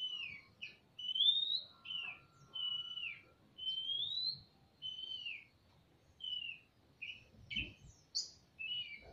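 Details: Male and female Oriental magpie-robins calling back and forth in a semi-natural aviary, ngobra style: a steady series of clear, sweet whistled phrases, each slurring up or down, separated by short gaps.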